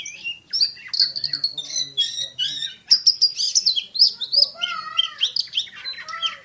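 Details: Champion Oriental magpie-robin in fast, tightly packed song with shooting-style notes: a rich, varied run of high whistles, chirps and quick slurred phrases, some notes falling and rising, delivered almost without pause.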